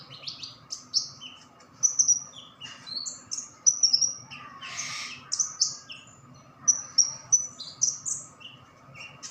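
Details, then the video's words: Newly caught white-eye, two days in hand, singing freely: short, very high, thin whistled notes and quick descending slurs in scattered bursts, with a brief rushing noise midway and a constant low hum behind. "Burung conin baru dapat 2 hari langsung gacor"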